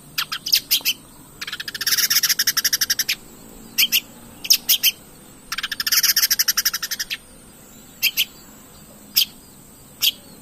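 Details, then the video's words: Long-tailed shrike singing: sharp single clicks alternate with two long, fast, dry rattling bursts of about one and a half seconds each, and a thin steady high tone runs throughout. "pancingan cendet gacor"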